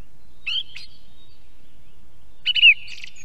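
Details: Song thrush singing near a live osprey nest camera in Estonia: two short, bright whistled phrases about two seconds apart, each with a brief ringing tail, over quiet low background rumble.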